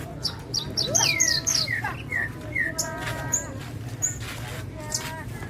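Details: Javan bushlark of the Parva type singing: a lively mix of high thin chirps, descending slurred whistles and short rising notes in quick irregular bursts, with a low steady hum underneath.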